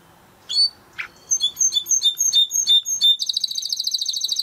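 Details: Timbrado canary training song with a few opening chirps, a rhythmic run of bright repeated two-note whistles, then a fast high rolling trill to the end.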